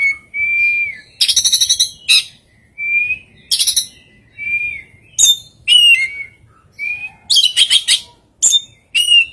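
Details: An oriental magpie-robin delivers a strange song full of very rare fill-ins: clear level whistles mixed with rasping, rapidly pulsed buzzes and sharp high chips, in a busy, constantly changing sequence.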